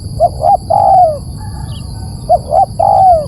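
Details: Spotted dove lure recording: two phrases, each two short hooted notes then a long, slightly falling coo. A low rumbling background and a steady high electronic whine are present.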